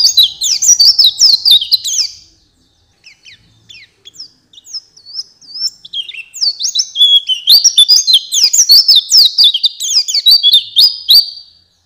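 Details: Training master song of an Oriental white-eye: energetic high chirping bursts, a quieter stretch of sparse notes, then a renewed flurry of rapid, sliding twitters.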